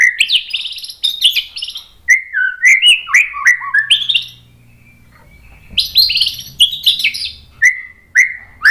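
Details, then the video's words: White-rumped shama in full varied song, used to provoke other shamas: mixed whistles, slurred phrases and high buzzy notes in bursts, a quiet gap, then more twittering and two clear downslurred whistles. "MASTERAN MURAI BATU memancing EMOSI jadi NYAUT GACOR BONGKAR MATERI TEMBAKAN | PANCINGAN MURAI"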